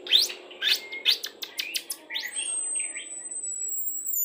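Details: White-rumped shama 'pastol' lure song for pairing birds into breeding condition: quick sharp clicks and chirps, then one long, very high, steady whistled note.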